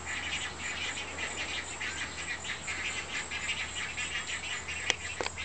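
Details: Large great egret chicks being fed by their mother in the nest give a continuous rattling, clicking chatter. Two sharp louder snaps come near the end, over a faint low hum.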